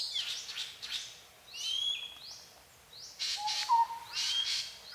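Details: Multi-species forest birdsong recorded at Phusing, Sisaket, Thailand: upward-sweeping high whistles repeated several times over a chattering background, with a lower level whistle near the end.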